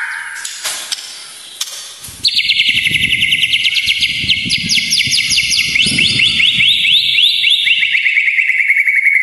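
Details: White-rumped shama song, used as training material to provoke emotion: after a brief faint start, a loud, fast series of sharp, ringing notes and rapid repeated trill strokes, shifting pitch while continuing steadily, with a low rumbling noise underneath.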